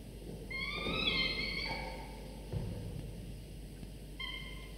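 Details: Falcon chicks aged 24–25 days at the nest while the father brings prey for their morning meal; a long harmonic whining wail, a brief dip, then another cry starting near the end, with low thumps from feeding movement.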